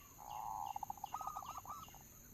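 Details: Zebra dove lure sound, local bird: a drawn-out purring coo breaking into fast pulsed notes and a few higher rippling coos, brief and set against heavy hiss and a high tonal hum.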